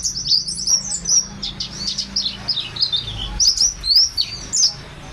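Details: Buxtoni mountain white-eye giving sharp, very high chirps in quick bursts, short descending twitters and bright upslurred notes, repeated in uneven clusters against quiet background.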